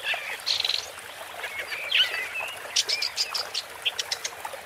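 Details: Woodchat shrike song mixing thin whistled slurs and squeaky notes with a burst of rapid scratchy chatter near the end.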